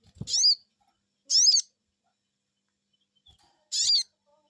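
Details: Crested Jay, known as sogon, calling in reply to a lure: three loud, buzzy, arched "cuiit" notes, the first two close together and the last after a pause, opening with a low knock.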